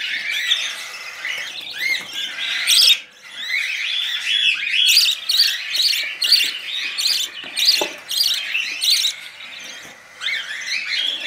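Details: Budgerigar chicks taking baby food from a spoon keep up loud, rasping, buzzy begging notes, some rising squeaky chirps, in regular rapid pulses with a couple of brief lulls.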